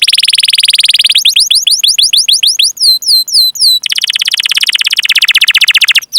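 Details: Canary song used as training to prompt other canaries to sing: a fast rolling trill, then a run of descending whistled sweeps, then another dense rapid roll, all high and loud.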